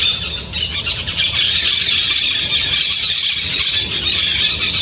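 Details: White-winged parakeets in the Brazilian Amazon producing loud, dense screeching and chattering, an unbroken wash of harsh high notes with a slight dip in intensity midway.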